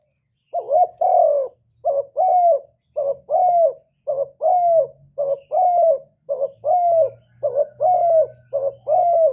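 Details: In a contest with a wild dove, a decoy spotted dove coos in a steady run of about nine phrases, each a short note then a longer falling coo, nearly one per second, over a faint low hum.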